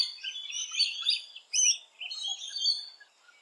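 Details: Rainbow lorikeet at its nesting holes giving shrill, screechy chattering notes, high and slightly tonal, in quick uneven bursts with a brief pause, then a louder squawk and more chatter.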